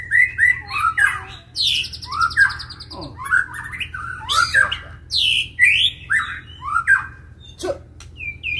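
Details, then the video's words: White-rumped shama in a fight, stirred to sing loudly: a varied, rich outpouring of swooping whistles, harsh buzzy rattles and squawky high notes, delivered in quick bursts with short pauses. "MURAI BATU TARUNG || PANCINGAN MURAI BATU EMOSI IKUT GACOR DAN FIGHTER"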